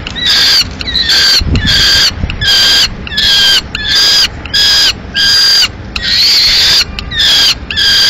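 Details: Series of about ten harsh, even-pitched wails, steadily repeated, from peregrine falcons at a Madrid nest on 15 May 2016, where the male arrives carrying a still-living swift that the female dispatches.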